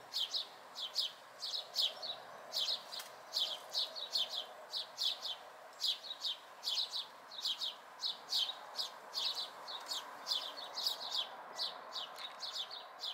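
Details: House sparrow fledglings watched locally in May 2020; steady series of short, bright chirps repeated roughly once a second, some doubled, over a soft background hum.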